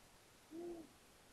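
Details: A male long-eared owl, out of view, in Egerészölyv, Hungary, on 21 March 2021 at 21:23, gives one soft, low, even hoot about a third of a second long, against a quiet night background.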